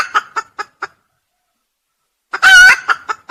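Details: Red junglefowl crowing, a recording meant for use as a lure: a run of short, evenly spaced clucking notes, a pause, then one loud, harsh, harmonic crow burst followed by more clipped notes.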